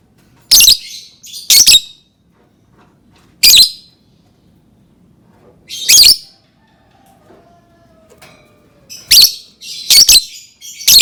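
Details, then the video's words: Lovebird repeating harsh, shrill squawks singly and in pairs at irregular intervals of one to two seconds, with a faint low whine in the background. "Suara Burung Lovebird"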